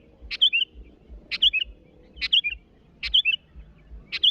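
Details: A sooty-headed bulbul calling rivals gives five lively phrases about once a second, each a strong sharp onset followed by a quick warbled twist downward, over faint low thumping.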